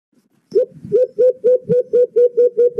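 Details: Alimokon, the white-eared brown dove, as a lure for trapping: an even string of about nine mellow, low hoots with a faint overtone, delivered steadily at roughly four per second.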